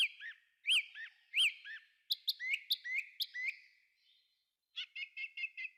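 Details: Singing thrush in woodland pouring out varied phrases: looping whistled notes, a run of sharp high chips, then a rapid series of short repeated notes, all high-pitched and clean.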